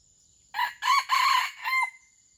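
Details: Red junglefowl from Aceh, used as a lure for wild birds; a single short, hoarse crow in several broken parts, the last piece ending abruptly, with a faint steady high tone in the background.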